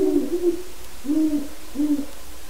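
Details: A wild Great horned owl calls in the yard near a non-releasable breeding pair's pen: three low, muffled hoot phrases about a second apart, with a constant low background drone.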